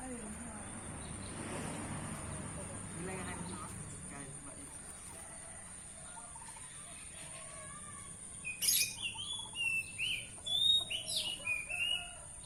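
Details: Tame sooty-headed bulbul singing a late burst of loud, clear whistled notes, some rising and some falling, repeated quickly for about four seconds after a stretch of human speech and low background noise.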